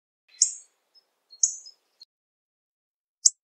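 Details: Hawfinch giving high, abrupt tick notes with brief buzzy trailing tails, two close together then a lone sharp click after a pause; clean, quiet background.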